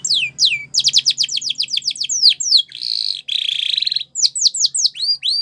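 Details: Spanish Timbrado canary singing a training song for young canaries: rapid runs of high descending whistled notes, then a metallic buzzy trill around the middle, and more sweeping downslurred notes at the end.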